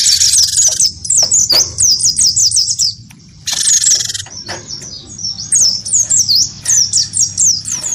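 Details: Wingko cinereous tit, provoked into fight calling by a white-eye, pours out rapid shrill slurred chirps almost continuously, with harsh buzzy bursts at the start and near four seconds and a brief dip in between.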